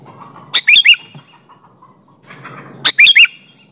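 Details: Sooty-headed bulbul in lively 'gacor' song, used as a lure so other bulbuls answer: two loud bubbly phrases of four to five quick, slurred whistled notes, about two seconds apart, with faint low background hum between.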